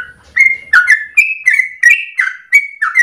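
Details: Trucukan (Yellow-vented Bulbul) chattering song used as a lure for training other birds; fluty, slurred whistles come in a rhythmic run after a brief low rumble at the start.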